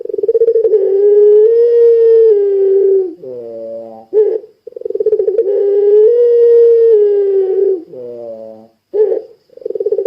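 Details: Puter pelung dove calling strongly to make other puter pelung answer: two long, even, low coos that swell slightly in the middle, each followed by a coarse wavering note and a short clipped hoot.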